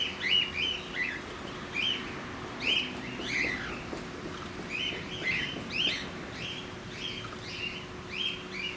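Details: Several cockatiels calling at Campbelltown Forest of Wild Birds in Saitama, Japan, 31 March 2018: short upward chirps repeated roughly every second or two, overlapping, with a constant low hum behind.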